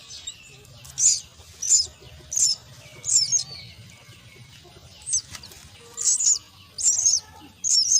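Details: Begging myna chicks fed at their nest give repeated rasping, high-pitched squeals, roughly one burst per second with brief pauses, against faint background hum and rustling.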